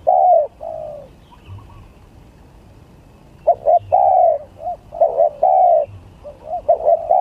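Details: Spotted dove song in a contest setting comparing gagap, tindan and klantan song styles: deep mellow cooing phrases with short clipped notes and drawn-out coos, a pause in the middle, then quick repeated coos, with faint low hum beneath.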